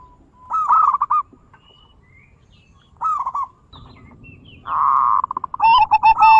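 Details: Zebra dove song meant to stimulate other doves to sing, in a deep, crystal, bekur style: two mellow cooing phrases, each a rising note and a rolling trill, followed by a long hoarse burst and a final coo, with faint background hum.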